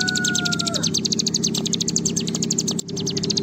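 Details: Bar-winged prinia, called ciblek gunung, trilling in 'ngebren panjang' style for a lure recording: a quick chain of high, buzzy notes, with a clear whistled tone that fades early on and a low hum beneath.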